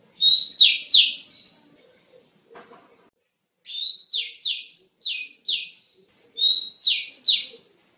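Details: Oriental magpie-robin (kacer) song used as master training audio for cage birds: three bursts of loud, buzzy, downslurred notes, each sweeping from high to lower pitch, mixed with thin high squeaks and separated by short silences.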